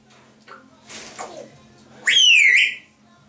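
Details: Pet grey parrot indoors, one of a pair, gives a single long clear whistle that jumps up, dips slowly and rises again, after a few faint mutters.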